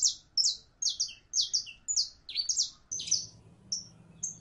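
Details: Mating call of a female canary in heat seeking a male, closely packed high chirps sliding downward, often in pairs, then spaced whistled notes as a low hum rises behind.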